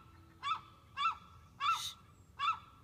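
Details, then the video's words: Young gull's early-morning wake-up call, 22 March 2015: four loud, nasal, harmonic calls, each brief and slightly rising then falling, about two-thirds of a second apart. "Baby gull's early morning wake up call"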